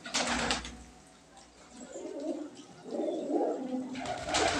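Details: Indoor group of crested, feather-footed fancy pigeons from Surat, 80 birds in one lot, with low murmuring coos swelling mid-clip between brief bursts of rustling and knocking.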